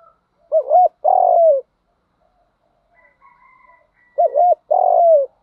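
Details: Cooing of a spotted dove, used as a training lure for decoy birds: two matching phrases of a wobbly two-part coo and a drawn-out falling note. A faint higher bird call sits in the gap.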